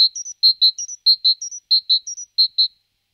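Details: Great tit taking up a nest box, giving clear pure whistled notes in pairs, each pair followed by a softer higher double note, repeating steadily for almost three seconds before stopping.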